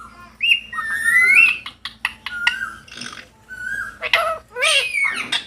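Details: Parrots playing outdoors in a field on an autumn afternoon make chattering squawks and short rising whistles, irregular and overlapping, with quieter gaps between bursts.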